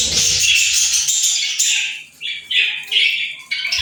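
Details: Budgerigar chatter: a steady run of bright, high twittering, then a series of short separate chirps repeated about every half second.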